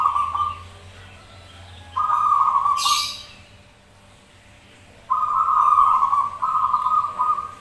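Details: Zebra doves answering each other in song, as a lure: loud, rapid, rolling coo phrases, one at the start, one after two seconds and a double phrase near the end, with a short hissy burst between them.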